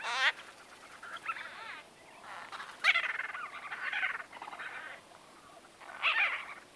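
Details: White-fronted bee-eaters in close conversation, recording date unknown, trade rolling, slightly nasal calls in short bursts, some quavering and rising, spaced a second or two apart with quieter chatter between.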